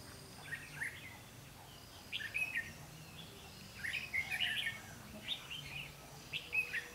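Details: Decoy red-whiskered bulbul singing during a trapping session on 12 August 2016 to lure wild birds: clusters of quick, liquid, warbling notes, with a denser burst midway and faint rustling between phrases.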